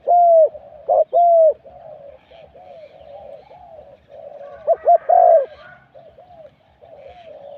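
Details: Spotted dove used as a decoy in a Thai dove-luring session; loud hoarse coo bursts open the phrase, softer rolling coos follow, then another strong burst of coos midway.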